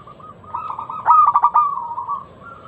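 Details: Zebra dove lure song, local bird, to prompt other doves to sing: a single phrase rising from soft cooing into a loud burst of five quick ringing notes, then trailing off in a drawn-out coo.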